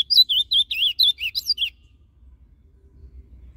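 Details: Ultramarine grosbeak, Paraná type, kept in a cage, delivering a northern-style song meant to stimulate caged birds: a lively phrase of about ten rapid, looping, whistled notes over roughly one and a half seconds, then quiet background.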